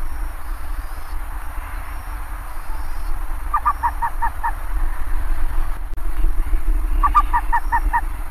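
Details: Bare-faced ibis calling: two short bursts of about six quick, nasal, honking notes, evenly spaced, the second burst near the end, over a steady low rumble and faint background hiss.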